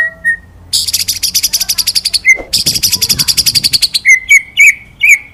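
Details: White-rumped shama song in the 'ngalas nembak' style from a training recording for other birds: a few short steady whistles, then a long rapid high-pitched buzzy trill, finishing with several bright rising whistled notes.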